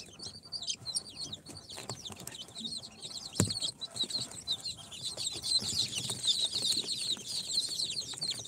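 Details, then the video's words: Dozens of four-day-old chicks hatched in an incubator, Sultan, Golden Sebright, Cochin and booted, cheep in a busy high-pitched chorus of quick descending peeps; a sharp knock sounds midway. "Chicks hatched from the incubator- Day 4 - Tatlı Civcivler - Cute chicks"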